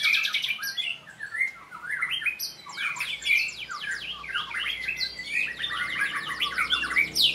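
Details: Captive white-rumped shama at a training session delivering a dense stream of varied song: quick whistled slurs, sharp chips and high trills follow one another without pause, jumping up and down in pitch throughout.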